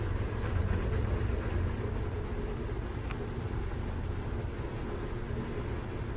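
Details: A steady low rumble like distant traffic or wind, with no animal voices.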